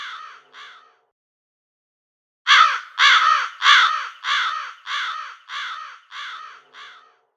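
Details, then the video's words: Crow calls: two faint harsh caws, a pause, then a steady series of eight loud, raspy caws about every two-thirds of a second, gradually fading in strength, with no other sounds. "SONIDO de CUERVOS"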